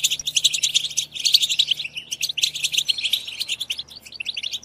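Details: European goldfinch twittering for stimulating singing and mating, made of quick liquid chirps and trilled bursts, loudest in the first three seconds and then thinning to scattered notes.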